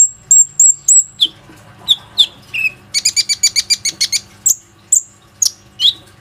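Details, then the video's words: ['Plain-throated sunbird singing as a lure to draw other sunbirds into song, recorded on an Oppo A37f phone: high thin whistles sliding downward, then a rapid buzzy trill of about a dozen notes, then more falling whistles.'] "PANCINGAN KONIN GACOR INI PANDAI MEMANCING KOLIBRI NINJA LAIN AGAR IKUT RAJIN BUNYI"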